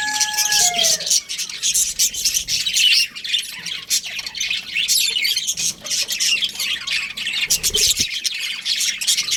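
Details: Budgerigar breeding pair chattering in rasping chirps and squawks, opening with a short falling whistled note, with a few soft knocks.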